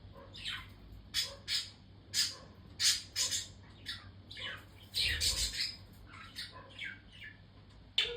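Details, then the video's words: Budgerigars indoors chirping busily, short bright chirps and squawky notes coming in irregular bursts, often paired, over a faint low room hum. "Budgies sound || Chirpy Birds"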